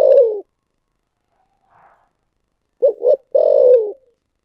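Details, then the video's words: The end of one long descending coo, then a full thổ sấm phrase from a spotted dove: two short hollow notes and a sustained, slowly dropping low coo with a soft tail. "cu gáy giọng thổ sấm thúc gù"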